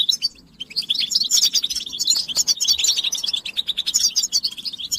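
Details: European goldfinch song, a continuous high, rapid twittering of tinkling chirps and trills with liquid, buzzy notes, almost unbroken after a brief opening pause.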